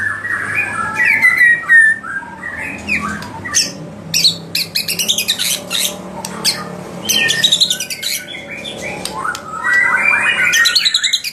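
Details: White-rumped shama song meant to provoke rivals: varied whistles mixed with dense bursts of sharp, high, scratchy notes and clicks, a busy jumble with louder whistled phrases near the start and end.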